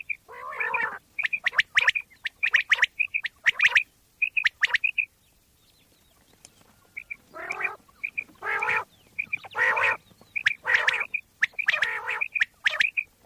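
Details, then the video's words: Common quail (bater) from Pakistan, a recording used to lure quail for hunting: short clear whistled notes, often in pairs, alternate with bursts of nasal, harmonic, growl-like calls and sharp clicks, with a pause midway. "Pakistani Bater wali Awaz"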